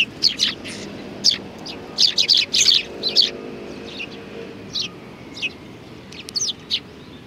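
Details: Sparrows gathered on a shrine bench in Japan, 30 January 2020: a flurry of sharp, high tweets in the first few seconds, then sparser, softer chirps scattered across the rest, over quiet low rumble.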